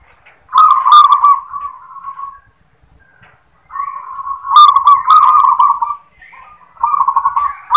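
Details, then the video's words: Local zebra dove singing the sought-after "klar ketek kuk" song style, which opens with a "klar" note: three soft, rolling, trilled cooing phrases at mid pitch, separated by short pauses, with faint clicks in the background. "Suara " KLAR KETEK KUK" Perkutut Lokal | Perkutut Manggung | Suara Perkutut Lokal"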